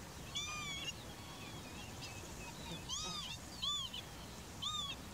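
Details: Eurasian curlew recorded 15 July 2021 near Sułowo village, Warmia, Poland: four short, arched, slightly nasal whistled calls, spaced irregularly over five seconds, over a soft outdoor hiss.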